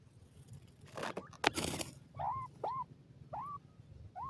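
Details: Baby pheasants raised for profit, at play: after a rustling scuffle, clear arched peeps, each rising then falling, repeated roughly every half second, over faint low hum.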